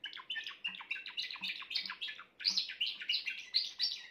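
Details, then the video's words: Grey Timbrado canary singing: a fast run of rolling, chirpy notes repeated about four to five times a second, pausing briefly midway before another bright, trilled phrase. "chant d'un canari timbrado gris"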